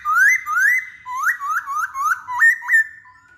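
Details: Clear, loud masked laughingthrush lure song with repeated rising whistles that get faster and end in abrupt upward-snapping notes, on a quiet background.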